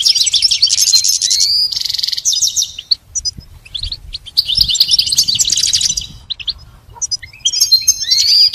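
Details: Training song for a caged goldfinch: fast tinkling twitter with buzzy trills and rapid chirps, pausing briefly before starting again.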